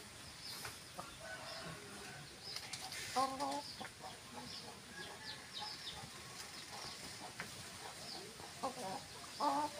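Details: Domestic hens giving scattered short, soft clucks through a noisy background, with a louder harmonic squawk about a third of the way in and another right at the end, plus faint clatter.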